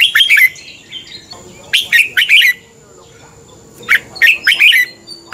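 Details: Red-whiskered bulbul in morning singing training, delivering fighting song: three clusters of short, bright warbled notes, each of three or four rapid elements, spaced about two seconds apart against a quiet background.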